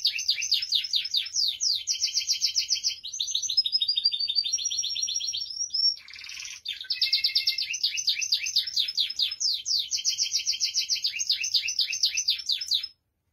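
A Spanish Timbrado canary sings continuously, mixing rapid metallic trills, rolling tours and bright high chirps with a brief harsh burst midway.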